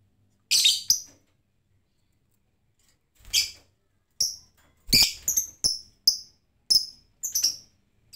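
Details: Lovebird making ngetik ticks instead of ngekek chatter without a lure: a couple of harsh notes, a silent gap, then a sequence of sharp, high, clipped chirps about every half second.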